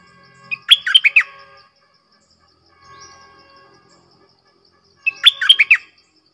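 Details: Red-whiskered bulbul in clear-voiced 'double song' style, for use as a lure: two bubbly, slurred whistle phrases several seconds apart, with faint steady tones and a soft murmur in the background.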